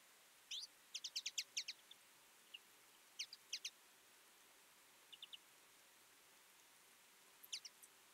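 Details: Twite flock feeding in winter: sparse, high, thin chirps in short bursts of two to six notes, separated by quiet gaps, against a faint hiss of background noise.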